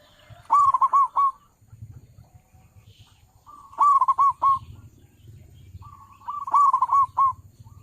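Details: Zebra dove, a local bird with a powerful voice, calling as a trapping lure: three loud bursts of rolling, bubbling coos spaced about three seconds apart over a low steady hum.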